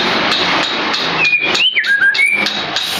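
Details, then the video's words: White-feathered white-rumped shama delivering a single clear whistled phrase, a level note, an upward slur, then a lower note and a return to a higher whistle, over loud continuous background noise. "White Feathered Sharma"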